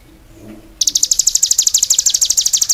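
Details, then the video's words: Cigun singing energetically: after a quiet start, a sudden fast trill of bright, high-pitched chirps. "suara burung CIGUN gacor"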